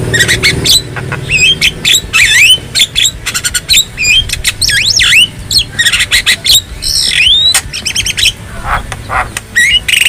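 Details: Free-living black-winged starling in full song, a dense mix of scratchy chatter, harsh squawks and clear whistled swoops dipping and rising, delivered almost continuously over faint low rumble.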